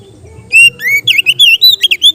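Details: Oriental magpie-robin kept as a cage bird, its relaxed song meant for training other birds: a long clear whistle, then a quick string of bright, bouncing, warbled notes.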